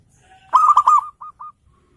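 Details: Local zebra dove singing loudly to provoke rivals: one rapid, rolling burst of low, throaty coos, then two short clipped coos after brief pauses, against near silence.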